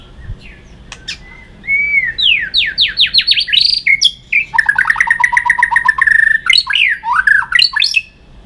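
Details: White-rumped shama singing a fighting song used to stimulate birds: a rising series of fast upward-sweeping notes, then a rapid rattling trill of repeated strokes, ending in loud slurred whistles.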